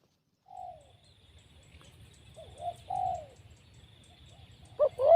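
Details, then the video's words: Wild spotted dove caught by trapping, described as a strong caller fit to become a decoy bird. Soft, low cooing notes come in short, scattered bursts, louder near the end, over a steady high insect hum and low rumbling. "Mikat Tekukur,, Suara BL ini powernya sangat kuat"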